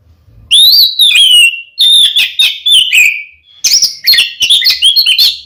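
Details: Oriental magpie-robin fighting song to provoke a rival male: long sweet whistles sliding downward, repeated, followed by a rapid jumble of sharp, varied notes.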